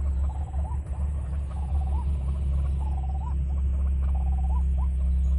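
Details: Trapping lure of the White-breasted waterhen: level buzzy notes that flick sharply upward at the end, repeated at an uneven pace against a loud, constant low drone.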